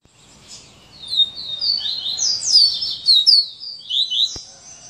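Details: Coleiro singing in the "serra elétrica" style: a fast, continuous run of high, sharp, slurred notes, some rising and some falling, woven into a dense chattering phrase lasting several seconds.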